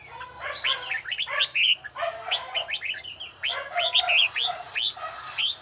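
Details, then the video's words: Red-whiskered bulbul practising its bell-tone voice. Rich, slightly throaty whistled phrases tumble in a steady stream, with a pause around the middle. A faint low hum stays beneath the song. "Chào mào luyện giọng hay nhất ||Nghe mãi không chán|| Tông giọng chuông đều chuẩn đúng nhịpnhất"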